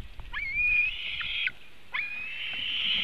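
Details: White-tailed eagle nest in Latvia, webcam recording of 24 June 2018 as the eaglets are fed in the afternoon. Two long, thin whistled calls, each starting with an upward flick and holding a high steady tone.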